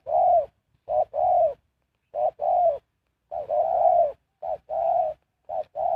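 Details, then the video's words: Decoy spotted dove luring wild birds, giving mellow two-part coos, a clipped opening note followed by a drawn-out rolling one, with uneven pauses between phrases; no other sounds. "Sound Of Spotted Dove is so good"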